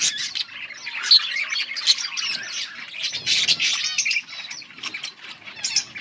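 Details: Yellow budgerigars chirping, recorded August 18, 2024: dense overlapping chatter of warbles, squawks and scratchy chirps from several birds, bursts pausing briefly near the third second.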